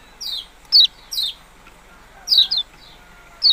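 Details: Yellow-bellied prinia calls: thin, high, steeply falling notes, some loud and some soft, given in uneven bursts with a brief doubled note near the end.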